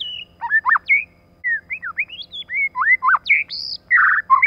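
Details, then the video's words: Female white-rumped shama, recorded with a male as a lure for other shamas: a continuous varied phrase of looping whistles, upswept notes and a few harsh buzzy ones. "CHOÈ LỬA MÁI.choè lửa trống + mái kích lửa.choe lua mai.pancingan murai batu.lửa mái mồi."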